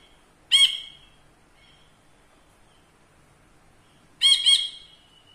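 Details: A caged ashy bulbul kept as a tutor bird gives two separate harsh, nasal squawks about four seconds apart, the second doubled and wavering, with near silence between them.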